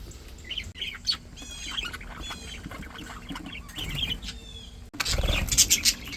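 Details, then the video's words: Happy, healthy pet budgies chattering: quick warbled trills and chirps in short bursts, some squeaky rising notes, then a louder burst of harsher chatter near the end. "Happy Healthy budgies"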